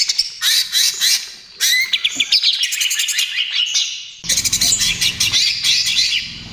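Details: Greater green leafbird pouring out lively trotol song, played to lure and calm other birds: an almost unbroken, busy torrent of high chirps, squeaks and whistled slurs, with a low rumbling background appearing in the final seconds.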